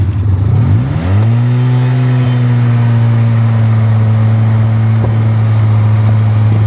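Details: Loud car engine revving up, then settling into a steady droning hum.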